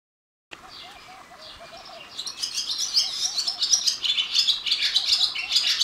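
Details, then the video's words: Barn swallow at Kolara gate, Tadoba, Chandrapur, India, gives rapid, high, scratchy twittering chatter that grows denser after the first two seconds, with soft low chirps of another bird underneath. "Barn Swallow call"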